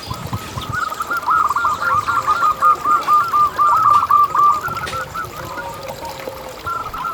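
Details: Local zebra doves singing, meant as a lure to prompt other doves to sing: overlapping rapid series of short bubbling coos, several birds at once, over a faint trickling background and distant chirps.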